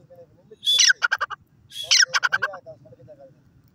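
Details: Grey francolin, locally called teetar, male and female voices: loud harsh rattling call with a sharp rising squeal followed by a rapid burst of clipped notes, given twice about a second apart over low background rumble.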